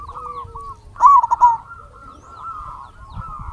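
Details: Local zebra dove singing, a recording meant as a lure to make other zebra doves sing back: one loud burst of quick, warbling coo notes near one second in, over a fainter steady trill of further doves behind.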